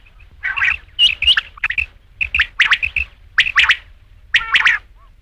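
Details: Rain quail, known locally as batair, giving harsh clipped notes in twos and threes, grouped in uneven bursts separated by brief silences, with no other sounds.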